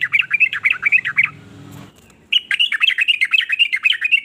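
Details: Sooty-headed bulbul song meant to make other bulbuls sing too; fast dipping chirps, a brief break with low hum, then a longer stream of quick bright warbling notes.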